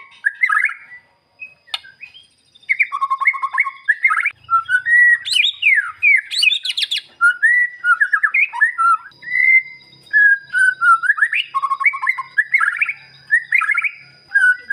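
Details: Long bout of white-rumped shama song meant to goad a silent shama into singing its mimicked fillers. Varied whistles, chattering trills and sharp high sweeps repeat in quick bursts, with a faint low hum in the background.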